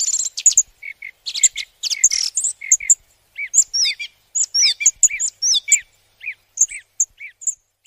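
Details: Flowerpecker chattering with rapid high chips and quick downslurred notes, dense at first, then thinning to spaced single ticks and short buzzy notes toward the end.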